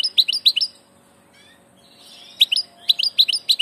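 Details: European goldfinch, a passage bird, singing quick bursts of bright, liquid twittering notes with sharp chirps, in clusters separated by a short pause.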